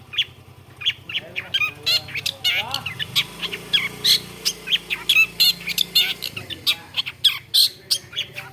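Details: Long-tailed shrike, said to copy various other birds, giving a rapid series of high chips and short whistles over a persistent low rumble.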